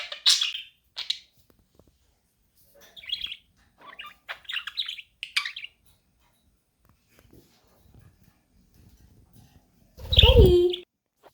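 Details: Budgerigar chirping meant to help a lonely budgie become active; a few scattered high chirps and warbling bursts, a quiet stretch, then a loud harsh squawk at the end.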